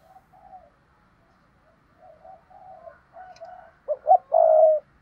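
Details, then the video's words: Spotted dove cooing in the "thúc bổi" style used to lure wild doves: soft, low coos first, then a loud phrase near the end. Two short hoarse notes lead into a long steady hoot. "tiếng cu gáy thúc bổi"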